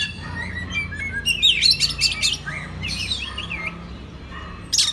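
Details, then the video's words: Oriental magpie-robin song used as a master recording to train other magpie-robins: varied whistled and chattering phrases climbing high, some sharp rapid notes, loudest near the middle and again at the end, with a low background hum. "pagi siang malam kacer lain ikut gacor. isian master kacer. suara kacer"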